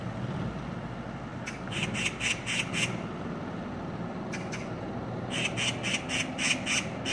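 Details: Six Oriental magpies on a street, noisily ganging up on and attacking another bird: harsh, rasping chatter in rapid bursts of about five notes per second, two main runs with a short pair between, over low steady traffic rumble.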